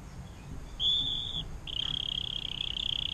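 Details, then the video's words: Atlantic canary singing a long 'air mancuran' (water fountain) style song, kept as a tutor for magpie robins, greenbirds and shrikes; two short, bright, even trills, the second long and steady, over low background rumble. "KENARI DENGAN LAGU AIR MANCURAN PANJANG"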